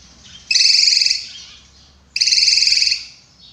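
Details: Drongo (srigunting) in energetic, actively singing form, a sharp voice used in Indonesia as a tutor song for other songbirds: two loud, buzzy, rapidly trilled high phrases, each under a second, separated by a pause of about one second.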